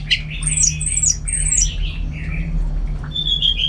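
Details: Orange-headed thrush in full song, loud and active: quick high whistled and slurred phrases that dip and rise, then a long thin downslurred whistle near the end, over a steady low hum.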